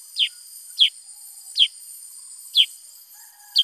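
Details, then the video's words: Male Black-headed Bulbul, known locally as kutilang sutra or cucak kurincang, in full active song. It gives five sharp, downslurred chirps, one about every second, over a steady high electrical hiss. "Burung KUTILANG SUTRA GACOR Bongkar Isian"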